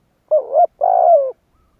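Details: A single two-part coo from a spotted dove kept as a lure to provoke other doves. A short wavering rising note is followed by a longer, purring, slightly falling coo, with no other sounds.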